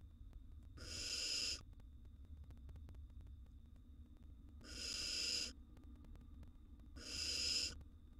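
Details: Barn owl nestling, wild, in a nest box during a meal of a gerbil: three rasping, noisy hisses, each under a second, spaced unevenly, with constant low hum behind.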